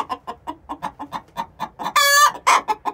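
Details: Hens six months old singing the egg song ahead of laying, a steady stream of rapid clucks broken by two loud, rough, drawn-out squawks near the end.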